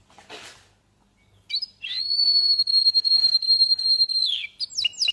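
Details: Canary singing: a quick upswept note opens into one long, steady, high whistled tone held for about two and a half seconds, ending in a burst of rapid repeated chirps; a brief soft hiss comes before the phrase.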